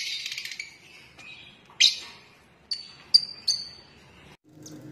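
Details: Rosella from a collection of colour mutations: a few sharp, high whistled notes and brief chirps spaced about a second apart, fading at the end.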